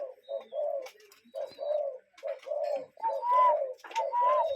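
A cuckoo gives low, hollow paired notes, a short note then a longer one, repeated about once a second. Thin high whistles from another bird sound faintly behind.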